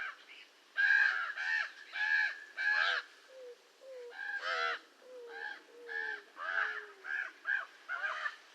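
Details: Raven producing a rapid run of harsh, nasal calls, interspersed with soft, low, downward-sliding notes, the calls coming about twice a second.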